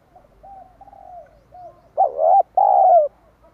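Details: Spotted dove calling as a lure for wild doves: soft, low coos drift along before two strong, throaty coos, the last one drawn out and slurring downward.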